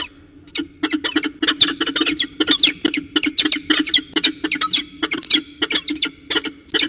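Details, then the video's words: Peregrine falcons, Orange CSU in New South Wales, 19 February 2020, chatting through a ritual dance: steady stream of raspy, screeching notes, many doubled, keeping up a fast uneven rhythm for seven seconds. "Peregrine Falcons Orange CSU NSW, Chatting and Ritual Dance"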